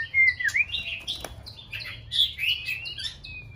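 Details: Six-month-old white-rumped shama, a young bird practising its song: a varied run of whistled and slurred notes between low and high pitch, quick changing phrases with short pauses.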